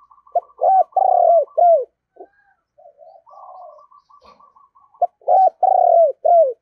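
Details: Decoy spotted dove, 'thổ' voice style, giving hoarse coo phrases of a stuttered start, long falling purr and a short end note. A thin, rapid higher chattering series runs alongside, with soft murmurs in between.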